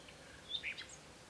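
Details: A Common Nightingale in Provence in spring, singing early in the morning, gives a brief fragment of song: a few quick, high whistled and chirping notes over faint outdoor background noise.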